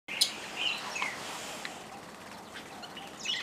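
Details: Fischer's lovebirds (Agapornis fischeri), many possibly hybrids with yellow-collared lovebirds, at a feeder at Lake Elementaita, Kenya, give a few shrill, high-pitched chirps and short squeaky notes, scattered irregularly over a steady hiss of background noise.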